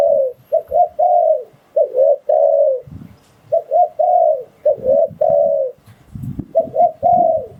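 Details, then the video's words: Spotted dove coos used to attract wild doves for trapping: mellow phrases of two or three short notes and a longer drooping coo, repeated about every two seconds, with faint low knocks between. "Tiếng Chim Cu Gáy Dùng Để Đi Bẫy Gọi Bổi"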